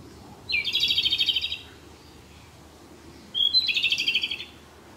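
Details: Japanese robin singing close by in a dark spot, on the last of six days it stayed at a regular birding site. Two phrases, each a brief high opening note then a rapid rattling trill about a second long, two seconds apart; quiet background.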